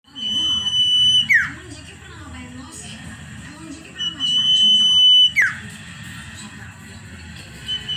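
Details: Common iora singing actively: a long, steady, pure whistle held for about a second, then sharply dropping, given twice about four seconds apart, with soft talking and low background murmur.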